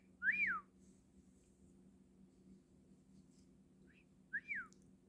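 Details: Pet cockatiel whistling two clear arched notes that rise and fall, about four seconds apart, with a brief soft chirp just before the second. Faint room hum behind.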